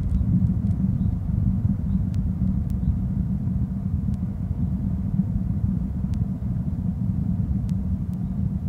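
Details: Steady low rumble of passing traffic with engine noise and a few faint ticks, and no animal voice.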